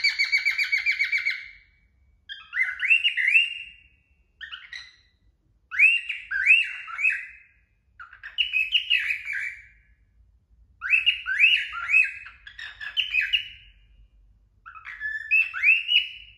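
A male cockatiel sings bursts of bright, warbling whistles, each phrase swooping up then down.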